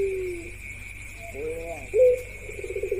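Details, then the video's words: Ringneck doves in a cooing parade that includes one female: a low drawn-out coo, a short rising coo and a brief throaty burst, over a steady electrical hum. "Parade Suara Puter Pelung Paud"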